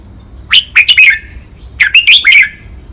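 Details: Training recording of a caged red-whiskered bulbul singing its five-syllable แม่บท ลากหวาย song: two quick phrases of clear, bubbling whistled notes, each phrase about half a second long, separated by a short gap.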